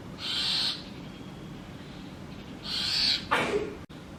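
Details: Nestling brahminy starlings begging in a nest box while a pair feeds them insects: two noisy rasping bursts about two seconds apart, then a brief falling scratchy note.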